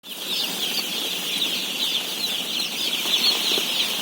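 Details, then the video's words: Day-old chicken chicks at feeding time on a farm of 17,000 birds: a dense, continuous chorus of high peeping from many chicks blending into a steady shrill wash. "BABY CHICKEN SOUNDS"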